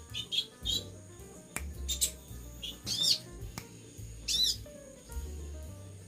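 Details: Pet sunbird (konin), described as singing vigorously (gacor): sharp, high twittering chirps in short bursts, some sweeping down, spaced irregularly about a second apart over steady background music.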